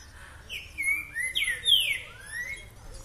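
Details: Green-winged saltator singing in boca mole style, recorded 2 June 2020: loud rich whistled phrases that slide downward, one after another, over faint background noise.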